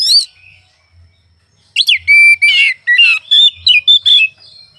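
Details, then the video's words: Caged oriental magpie-robin singing: after a brief opening burst and a quiet gap, a rapid string of loud whistles follows, mixing pure level notes, swooping slurs and rough scratchy elements in quick succession. "Suara burung Kacer pagi siang malam"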